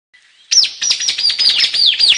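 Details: White-capped tanager (Sericossypha albocristata) song: a dense run of loud, harsh, high screeching notes that slur downward and overlap almost without pause, after a faint thin whistle.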